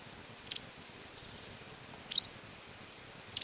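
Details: White wagtail recorded in the mountains of León, Spain, in May 2019: three short, sharp, high chips, the first a quick double note, spaced over a few seconds against a quiet background hiss.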